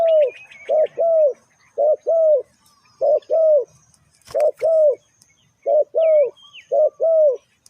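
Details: Spotted dove calling to lure wild birds: low, hollow coos in short pairs, each note slightly arched, repeated about once a second, with faint high chirps from other small birds in the background.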